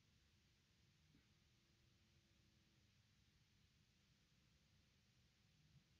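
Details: Near silence: faint background hiss and low rumble, with a brief soft tone and no animal calls.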